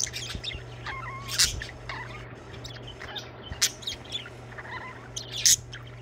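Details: Budgerigars singing with loud shrill chirps now and then among softer wavering whistled notes and chatter, a low hum and a few thumps in the background.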